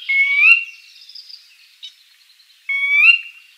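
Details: A Sora at Shiawassee, Michigan, USA, on 18 May 2023 gives two clear, rising whistled notes about two and a half seconds apart, each sliding upward, with a faint high buzz between them.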